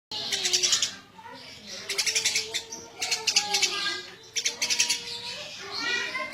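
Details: Eurasian tree sparrow chirping: rapid bursts of high, sharp chirps, each burst lasting about half a second to a second, repeated after short pauses, over a low murmuring background.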